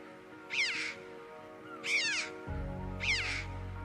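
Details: Red-billed chough in the UK, a coastal-cliff and short-grass bird, gives three high, ringing 'chee-ow' calls that arch up and drop away, about one per second, over soft background music.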